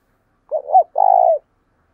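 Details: Spotted dove decoy bird calling in the morning to provoke wild doves into answering. One short cooing phrase: a quick wavering coo, then a longer, slightly rough, level coo that falls at the end. Nothing else is audible.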